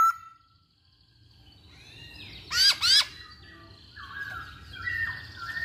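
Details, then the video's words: Masked laughingthrush in active song, a bird used to provoke other birds into singing: quiet start, then two loud arching, down-swooping whistled notes, followed by softer slurred whistles. "Burung Poksay Hongkong Gacor"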